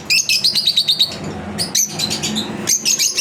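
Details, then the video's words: Pet lovebirds during a daily routine, a quick series of piercing high chirps at about three per second, then scratchy chatter and more shrill notes, over a faint low hum. "Lovebirds Chirping Video Daily routine"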